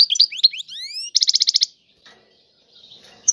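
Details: European goldfinch in tiwawati song: a few twittered notes, then a series of rising swept whistles, followed by a fast even rattle of about ten bright notes, then near silence with faint rustling.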